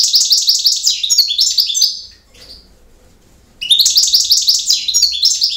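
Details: European goldfinch giving its campero song: two bursts of quick, bright, chattering high notes, each about two seconds long, separated by a short quiet gap holding a brief faint note.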